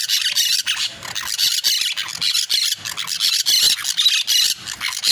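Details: Singing parakeets give a continuous scratchy warble of shrill squeals and rasping chirps, bursts tumbling quickly over one another with almost no gaps.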